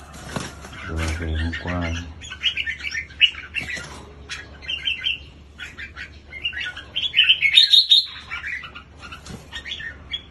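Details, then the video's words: Red-whiskered bulbul at a song contest, chirpy warbled phrases repeated quickly, a low rumbling burst near the start, a louder whistled run toward the end. "CHIẾN BINH MÀO LÂN GIÁ"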